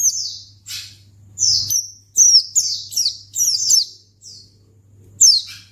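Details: High, thin white-eye chirps played to provoke other white-eyes to answer: scattered downward-sweeping notes, some grouped in rapid runs of three or four, with a quiet low hum.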